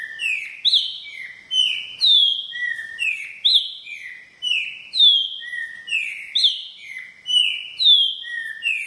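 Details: Green-winged saltator of the repeating song type, delivering loud clear whistled phrases over and over, each a few descending and level notes, repeated about every second with very little variation.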